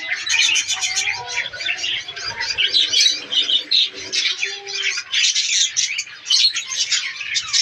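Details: Breeding budgies kept in a colony chatter continuously with bright chirps and scratchy warbles, while a few lower, drawn-out whistled notes stand out beneath the chorus.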